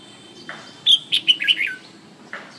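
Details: Red-whiskered bulbul giving one quick phrase of four or five clear, slurred whistled notes, the last dropping in pitch, between soft isolated chips before and after.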